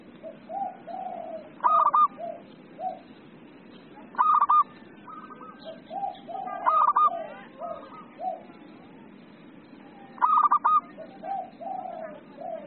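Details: Zebra dove, a local bird singing often, repeats a bright stuttering coo phrase about every two and a half seconds, while lower, softer rising coos from other doves fill the gaps between phrases.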